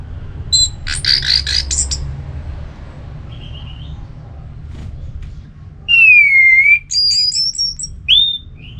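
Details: Orange-headed thrush in ngeplong song style, meant to stir a sluggish bird into replying: a burst of high buzzy notes, a brief pause, then a loud downslurred whistle followed by high trilled notes, over a low background hum.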